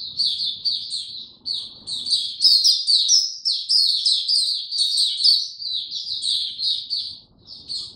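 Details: White-eye in a cage, in power down mode and given no supplements, singing on 29 April 2022: busy, high-pitched warbling phrases, briefly pausing once, then running on in a loud continuous twitter.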